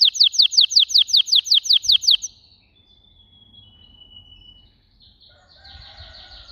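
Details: Canary song opening with a rapid series of repeated downslurred whistles, then a thin sustained whistle and softer, lower warbled phrases with faint background hiss.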